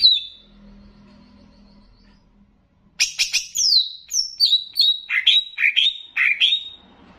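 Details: Greater green leafbird of the Banyuwangi type, used as a master recording to raise the excitement of other leafbirds, with bebeci-style phrases. A quiet start, then from three seconds a fast run of sharp, high, downslurred whistles and chips.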